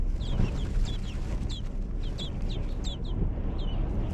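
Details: Nestlings in a hog barn being fed by their mother give thin, high, downslurred chirps in quick irregular succession, partly masked by a heavy continuous low roar.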